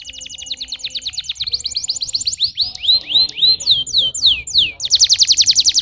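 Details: Canary singing a run of fast repeated tours: rapid trills, then descending whistled sweeps, closing with a dense buzzy rattle, all high-pitched and clear.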